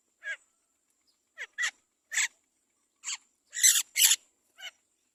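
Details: Great myna chick being fed carefully by its mother; harsh, raspy broadband bursts come in irregular pairs and singles, the last few louder and noisier, with quiet gaps between.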